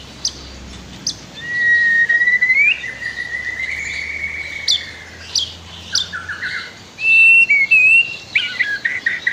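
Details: White-rumped shama song used as a master song for training other birds: long whistled notes, a sustained rising-then-level whistle, trills and sharp high clicks, with quiet pauses between phrases.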